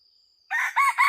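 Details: Red junglefowl crowing during hunting with a decoy bird: a loud harsh crow in three connected parts after half a second of quiet, with a steady high insect whine throughout.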